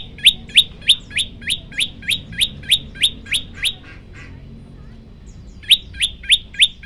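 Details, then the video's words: Masteran recording of a prenjak lumut firing rapid tembakan chirps, each a quick rising note with a high tip, about three per second. A pause of more than a second follows before the fast series resumes. "tembakan 40 detik sekali napas masteran prenjak lumut"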